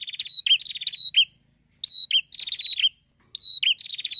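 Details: A prinia, its call used to stimulate other prinias to sing, gives loud, high, rapid chattering phrases of buzzy trills and sharp whistled notes, in bursts about a second long with short pauses between.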